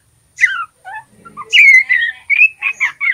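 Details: Young male white-rumped shama in spotted juvenile plumage practising 'ngeriwik', a lure to stir birds into song; scattered soft downslurred notes, then a string of loud, clear, slightly wavering whistles.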